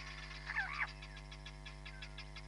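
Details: Hamerkop at Nkorho Bush Lodge, picked up by a live camera on 31 July 2021: one loud, harsh, arching call with rich harmonics lasting about a third of a second, set against faint rapid pulsing and a steady low hum.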